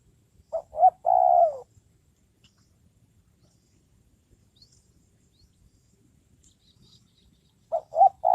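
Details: Spotted dove trained as a decoy for luring wild birds repeats its low three-part coo, two short notes and a long falling one, about seven seconds apart, in otherwise quiet surroundings.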